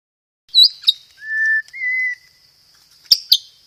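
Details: White-rumped shama singing loudly and clearly, lure material with 'gereja tarung' fighting-sparrow fill and 'roll tembak' rolls: two long pure whistles, the second higher, between sharp high chip notes, with a thin steady high tone throughout.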